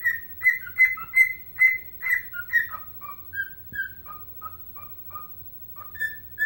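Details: Pet bird dancing and whistling its rendition of Chelsea Dagger; clear tonal whistled notes alternate between higher and lower pitches, fast phrases at first, then slower, spaced single notes, with a faint low hum underneath.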